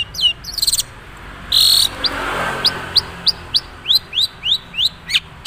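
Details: Long-tailed shrike of the Madura type, said to have few mimicked fill-ins yet, opening with quick stuttered notes and a brief harsh buzzy burst, then a run of high, down-slurred whistled notes.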